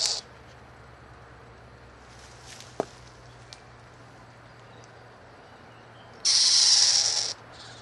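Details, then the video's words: A screech owl from a nesting family in a yard in NEPA gives a harsh, breathy hiss lasting about a second, with a shorter raspy burst at the start; a soft click and low hum sit underneath. "SCREECH OWL"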